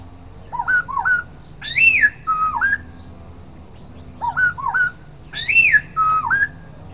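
Black-throated laughingthrush giving clear, fluty whistled phrases, rising then falling, repeated twice with short pauses; a steady high electrical hum runs underneath.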